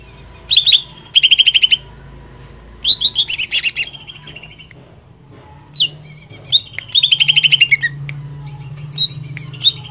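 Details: Greater green leafbird song meant to stimulate a rival leafbird: loud buzzy rattling trills alternating with thin high sustained whistles, separated by brief quiet gaps.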